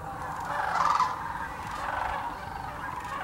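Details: Migrating sandhill cranes gathered by the thousands at a Tennessee wildlife refuge in Birchwood; a dense chorus of trilled, rattling calls swells and fades, with one louder rolling call near the middle standing above the flock.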